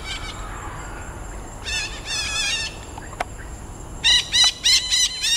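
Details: Red-breasted parakeet in a densely forested woodland patch at Pasir Ris Greenbelt, Singapore: harsh, harmonic-rich squawks in two bursts, a quick run of about five notes, then four or five loud separate calls, over a faint, steady background hiss.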